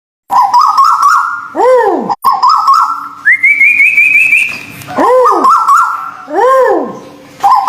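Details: White-billed bulbul song, local and Malaysian birds, in a bird-training recording: rich whistled phrases with wavering, stepped notes around mid pitch, then a higher rising trill, and loud arched swooping notes repeated in pairs; low steady hum behind.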